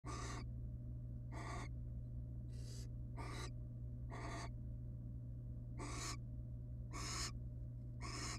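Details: Wild barn owls, a female and male pair in a monitored nest box beside their chicks, the female showing affection to her mate: harsh, hissing screech bursts repeated about once a second, eight in all, over a steady low electrical hum.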